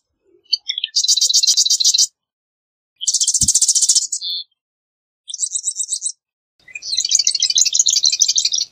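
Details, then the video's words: Series of four marsh wren songs, each a very rapid, high-pitched, insect-like rattle about a second long. Short clicking notes open the first, and a low thump is heard once. "Marsh Wren Song! Marsh Wren Call! Marsh Wren!"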